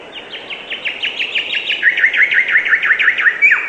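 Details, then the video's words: A bird gives a steady run of rapid chirps, each a quick downward slur, repeated close to three times a second and growing louder midway, ending on a brief higher note. "Beautiful and relaxing bird chirping sound"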